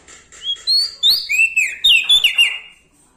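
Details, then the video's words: Loud Bar-winged prinia from Lombok, in active song near bigger birds. Rising clear whistles step up in pitch, then drop into a rapid, bubbling sequence of slurred, chirpy notes over about two seconds. "Prenjak Daun Lombok gacor Mental Juara Nempel Sama Burung Besar Suara Nyaring"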